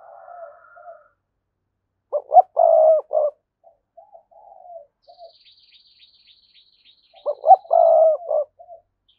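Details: Spotted dove song used to call in wild rivals to fight. Two loud phrases, each with short clipped notes, a long throaty coo and a closing note, are separated by soft murmured coos. A thin, high, rapid chirping series from another bird runs alongside.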